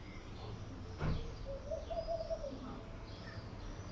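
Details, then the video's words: Laughing dove cooing: a soft, low, bubbling coo of several quick notes rising slightly, about a second long, over steady background noise and a brief thump. "Laughing Dove Coing!"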